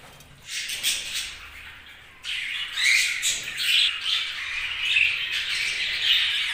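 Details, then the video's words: Budgerigars chirping: quiet at first, then from about two seconds a dense, continuous chatter of high, scratchy chirps and squawks with brief whistled notes, irregular and overlapping. "Budgies' Chirping Sounds"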